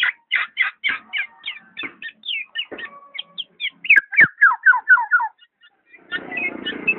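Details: Black-naped oriole uttering a rapid series of clear, downslurred whistled notes, about two per second, in a busy run that ends in a burst of rustling noise.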